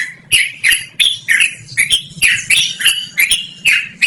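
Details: Continuous Yellow-vented bulbul song, clear and melodious, used as lure or training audio: quick chain of gurgling, rising-and-falling phrases, roughly three per second, each opening with a crisp tick.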